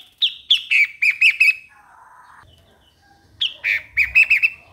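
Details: Two phrases of five or six ringing chirps from a Streak-eared Bulbul, with a soft, buzzy lower sound between them.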